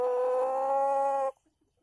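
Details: Male chicken giving a loud, sustained nasal crow note with rich harmonics, held level for over a second before cutting off sharply into near silence.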